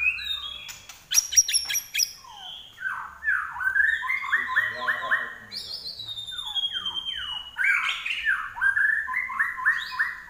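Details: Active larwo, or common iora, song. Rapid high ticking notes lead into rolling repeated whistles, then long downward-sliding whistles and warbled phrases. Faint low background hum.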